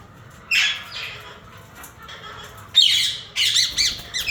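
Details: Two harsh squawks, then louder rasping screeches in quick succession from a yellow Indian ringneck parakeet breeder pair.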